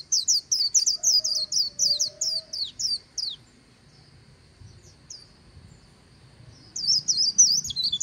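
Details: White-eye delivering líu song on the bank of the Kỳ Cùng river: three seconds of fast, high, jingling notes, a long lull with one faint chirp, then a renewed rapid twittering burst; a soft low whistle briefly heard early on.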